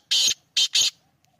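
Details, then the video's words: Black francolin of the Sindhi subspecies, known locally as kala teetar; three harsh, grating bursts, the first longer, then two quick ones close together, over near silence. "Kala Teetar | Sindhi teetar ki awaz | Sindhi teetar voice | Sindhi Teetar Sound"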